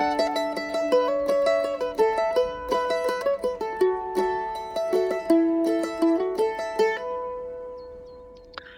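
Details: A plucked mandolin melody with bright repeated notes plays, with no animal sound.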